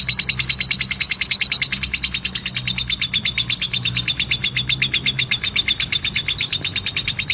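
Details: Coarse ngekek from a female lovebird: a dense, machine-gun run of scratchy high chirps that holds steady throughout, with a low hum beneath.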